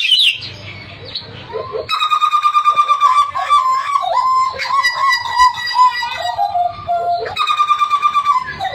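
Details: Hooded butcherbird singing vigorously, reportedly to the point of coughing: bursts of fast, evenly pulsed harmonic whistles alternate with wandering, slurred fluty phrases that drift downward, then the rapid pulsed series returns.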